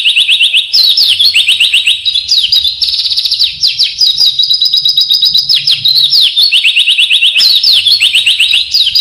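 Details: Loud pleci isian song, gacor style: rapid rolling trills of high sweet notes, stacked and nearly continuous, swelling in waves without pause for nine seconds.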